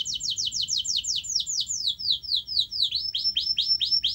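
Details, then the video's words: Canary song for stimulating a quiet canary: a rapid run of downward-sweeping chirps, about three per second, turning into sharper upslurred notes, clear and unaccompanied. "Kenari Anda MALAS BUNYI, Coba Putar Video Ini !!!"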